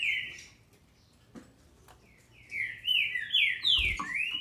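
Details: Captive-bred female Green-winged saltator from Brazil, singing to excite males: after a faint opening whistle, a loud run of slurred, downward-gliding whistled notes from midway on, with a dull thump near the end.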